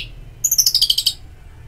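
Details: Orange-headed thrush song in a therapy recording meant to stimulate singing: one brief burst of rapid, very high, sharp chirped notes about a second long, slurring down slightly, over a quiet low hum.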